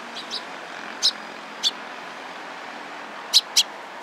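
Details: Several sparrows gathered around, recorded 27 April 2017, giving brief high-pitched chirps, a few isolated then a close pair near the end, with a faint low hum and background noise.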